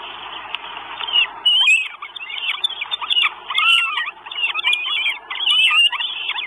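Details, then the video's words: Four Northern goshawk chicks at their nest in Estonia, 1 June 2022, filmed by a live nest camera and begging for food: shrill squealing notes, rising then falling, in irregular bursts over a hissing background. "4 CHICKS WISH FOOD. NORTHEN GOSHAWK."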